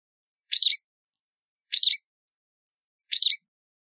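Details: White wagtail, Motacilla alba: three sharp, buzzy two-part chirps, each about a quarter second long and spaced about 1.3 seconds apart, with faint high ticks between them and no other sounds.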